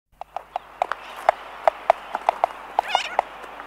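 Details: Laysan albatross in a colony, close up, making mainly clicking sounds; sharp dry clicks repeated irregularly, roughly one to two per second, with a brief buzzy rattling burst near three seconds and steady background hiss.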